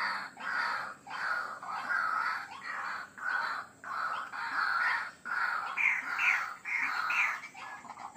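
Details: White-breasted waterhen lure call: loud, harsh, croaking bursts about half a second long with brief gaps. Some bursts have a higher, squealing edge, over a faint steady hiss.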